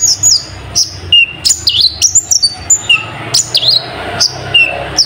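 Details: Kolibri ninja, the Brown-throated Sunbird, delivering a dense song laced with nightjar-call mimicry: shrill looping whistles, downward slurs and staccato chirps.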